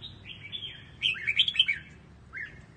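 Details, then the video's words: A red-whiskered bulbul sings in the Quảng Trị regional tone, used for song training: thin sliding notes, then a second-long burst of bright, bubbling warbled whistles and one last short rising whistle, over a faint low hum. "Luyện giọng cho chào mào"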